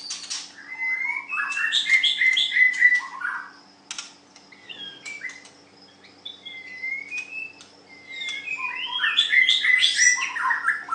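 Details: White-rumped shama in a singing contest, clicking bursts alternating with upslurred whistles and tumbling warbled phrases, a quieter stretch in the middle, steady hum in the background.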